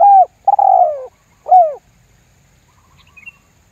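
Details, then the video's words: Spotted dove lure call in the lambung guk style, played to make other doves join in calling. Three loud, hollow coos fall slightly in pitch, the middle one longest, followed by quiet, faint chirps. "SUARA PIKAT TERKUKUR LAMBUNG GUK MEMBUAT TEKUKUR LAIN IKUTAN GACOR"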